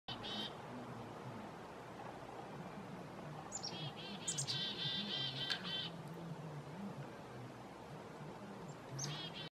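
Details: A black-capped chickadee, answering another bird's "chick-a-dee-dee-dee", gives short bursts of harsh, buzzy, repeated notes, loudest in a run near the middle, over a steady low rumble.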